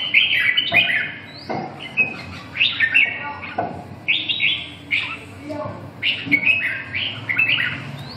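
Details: A Red-whiskered Bulbul at a bulbul singing meet sings lively, bubbling whistled phrases of mid to high pitch, several a second with short breaks between bursts, over faint background chatter.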